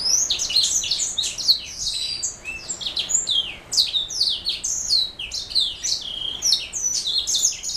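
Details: Black-throated canary mule pouring out an unbroken, high-pitched song of quick chirps, downward slurs and buzzy trills throughout.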